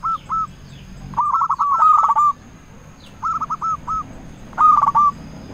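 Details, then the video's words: Local zebra dove lure song, meant to draw answers from rivals: short groups of two to five hooked coo notes with pauses between, over a steady background hum and hiss. "Perkutut Lokal Gacor Raja Pikat Paling Ampuh Ahlinya Bikin Lawan Gacor Nyaut"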